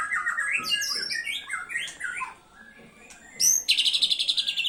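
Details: Varied whistled phrases from a white-rumped shama, a short lull, then a loud, harsh, buzzy high note held for about a second, followed by rapid scratchy notes.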